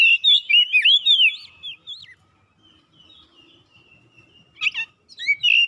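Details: Oriental magpie-robin in lively song, described as seeking an opponent: a burst of loud, slurred whistles and chirps, then a lull with faint high notes, before sharp notes and another bright whistled phrase.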